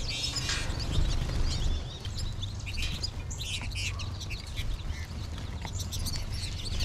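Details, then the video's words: American goldfinch flock calling from feeders and trees above in March; rapid, irregular high twittering, about four notes per second, with faint fluttering and steady low rumble. "American Goldfinch flock"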